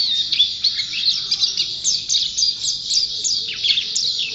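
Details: Nonstop chattering song from a champion white-eye (pleci): very high, fast twittering with many short downward-sliding notes packed tightly together.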